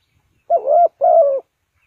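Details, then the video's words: Spotted dove from Ninh Thuận, used as a lure for trapping birds, utters two drawn-out low coos, each swelling and then sagging in pitch, with a brief gap between them. No other sounds are heard. "Cu gáy Ninh Thuận"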